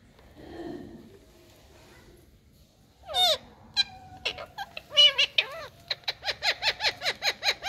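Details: Parrots in India talking to each other, a faint low sound at first, then bright wavering whistles and a steady run of clipped falling calls about three per second.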